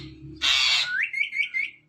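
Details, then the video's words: Talking pet ring-necked parakeet in a room giving one raspy, explosive squawk, then sliding into a rising whistled note and a quavering series of warbling whistles that trails away; low household hum beneath. "Talking Parrot Conversation In Natural Voice"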